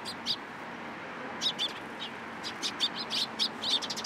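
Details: Feeding from a hand at a Tenmangu shrine, 14 April 2023, sparrows chirp in quick, high, slightly buzzy notes, a pair at the start, then a denser run of rapid chirps.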